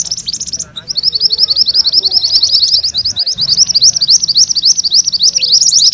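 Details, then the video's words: Vigorous rolling song from mantenan kuning: after a few opening chirps comes a long, continuous run of rapid, high, slurred notes, about three or four per second, slightly wavering in pitch. "Suara MANTENAN KUNING ngerol"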